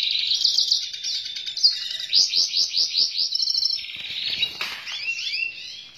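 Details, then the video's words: Lively, sweet-sounding black-hooded siskin song: fast high twitters, a run of about eight evenly spaced rising chirps, then a rattling trill and a few sharp upslurred notes. "𝙱𝙷𝚂(𝘣𝘭𝘢𝘤𝘬 𝘩𝘰𝘰𝘥𝘦𝘥 𝘴𝘪𝘴𝘬𝘪𝘯) 𝘴𝘪𝘴𝘬𝘪𝘯 𝘬𝘶𝘯𝘪𝘯𝘨 𝘨𝘢𝘤𝘰𝘳 𝘮𝘦𝘳𝘥𝘶 𝘣𝘢𝘯𝘨𝘦𝘵𝘵"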